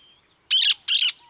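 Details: Cactus parakeet: two loud, harsh, broadband squawks in quick succession, each lasting about a quarter second.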